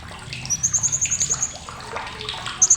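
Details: Sharp chattering of a blue-crowned hanging parrot, meant as a training recording for competition birds: one quick, high-pitched ticking rattle lasting about a second, then a brief loud burst of the same at the end, amid faint clatter.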